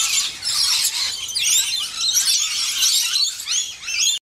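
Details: Scaly-breasted Lorikeets, at least eight, having fun in a birdbath produce overlapping shrill screeches and rapid chattering squeals, steady and loud, before the sound cuts off abruptly near the end.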